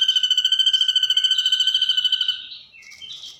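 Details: Ashy drongo copying the kunti sound, delivered as a long, even, rapid chattering trill with a nasal ringing tone that fades into a few brief, slurred, squeaky notes.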